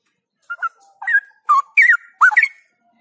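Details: Outdoor training session of a straw-headed bulbul for 'gacor' and 'ngropel' singing: five mellow, warbling whistled phrases with up-and-down slurs, spaced about half a second apart against a quiet background.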